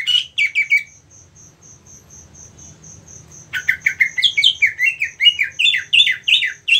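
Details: Greater green leafbird (cucak ijo), a competition songbird, gives a brief burst of falling chirps, goes quiet while a steady pulsed ticking continues, then resumes with a lively, rapid, varied chattering song.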